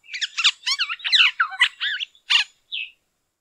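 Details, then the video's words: Black-hooded Oriole giving a rapid run of scratchy, chattering notes, squeaky and harsh, mostly high-pitched, ending in a short whistled note. "Black Hooded Oriole"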